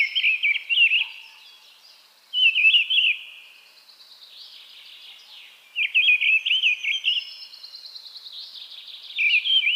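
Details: A mistle thrush's song: four brief, varied, whistled phrases with a gap of one to two seconds between each, clear and loud over quiet, high background chirping.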